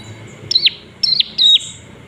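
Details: Olive-backed tailorbird recorded in Palembang, its call meant to provoke rival birds into singing: three loud, high, twisting chirps, each slurring down at the end, about half a second apart.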